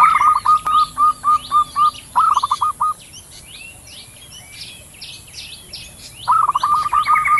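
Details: Wild zebra doves, a male and a female, calling back and forth. Rapid repeated clipped coos end in a quick trill. After a pause of about three seconds the series starts again, with other small birds chirping in the background.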